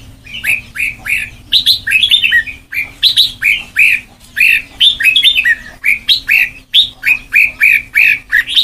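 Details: Caged red-whiskered bulbul used for song training toward the Sông Kon style: bursts of liquid, warbling whistled phrases with short pauses between them, plus a faint steady low hum in the background.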